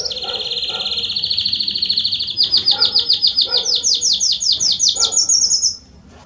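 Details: Belgian canary singing strongly to stimulate another canary: a long, even buzzy trill that gradually speeds into distinct, pulsing swooping notes, rising higher near the end before stopping abruptly; faint background noise.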